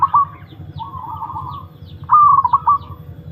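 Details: Zebra dove (perkutut), a long-kept bird in a mental test, gives a soft wavering coo and then one loud phrase: a level high note followed by rapid staccato coos, with a low hum underneath.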